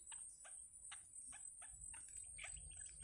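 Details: Wild yellow bittern chicks in the nest while the mother feeds them: short, harsh, buzzy bursts repeated about every half second over a faint steady background hiss.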